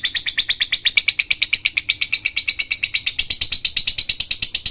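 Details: Lovebird singing, played as a lure to get reluctant lovebirds to start singing; a long unbroken series of rapid, sharp, high-pitched chips, roughly eight a second, evenly paced and slightly thinner toward the end.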